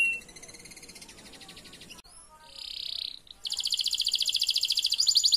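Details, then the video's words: Canary song used as a lure to prompt silent canaries into singing: rapid, high, evenly pulsed trills, several spliced phrases with abrupt changes between them, including a brighter rattling trill and a smooth sweeping note, against faint background hiss. "PANCINGAN BIKIN KENARI APAPUN YANG MACET BUNYI LANGSUNG BUNYI"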